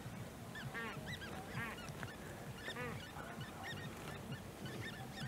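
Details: Great crested grebe with young, De Gouden Ham, Maasbommel, 1 August 2018: sharp whistled notes and a few rich, buzzy stacked calls in short bursts, spaced about every second, over steady low background hum.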